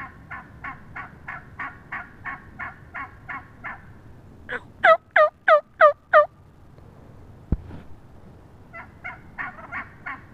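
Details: A wild turkey hen, recorded up close on 22 March 2017, gives a steady run of short nasal notes, about three a second, then five loud sharp notes, a single knock, and softer notes again.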